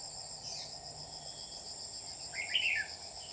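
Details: Red-whiskered bulbul kept as a trapping lure, recorded 27 July 2019, gives a single brief bubbly phrase near the end that rises then drops, over continuous shrill insect buzzing.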